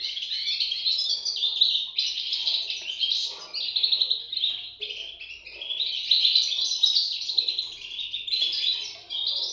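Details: Nestling European goldfinches giving a long, unbroken stream of high, scratchy twitters and squeaks, many voices overlapping and swelling in waves.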